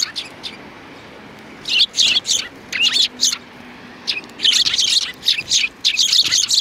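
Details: Sparrows on 2 January 2019: after a quiet start, bursts of high, busy chirping come in overlapping clusters, with brief gaps between the bouts.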